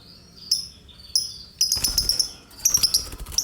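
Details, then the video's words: Lovebird calling when disturbed: sharp high chirps around 0.5 and 1.2 seconds, then bursts of rapid harsh chattering notes, with rustling and handling noise in between. "Kalau gak digangguin gak bunyi dia"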